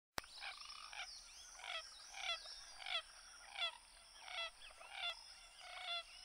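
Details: Common gallinule giving a run of harsh, nasal clucking notes, each a rich harmonic burst, repeated about every half second with uneven spacing over six seconds, with soft chattering calls in the background.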